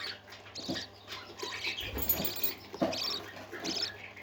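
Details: Parakeets singing in uneven bursts of squeaky, scratchy chirps and short squawky notes, roughly one burst per second, with some low thumps in between.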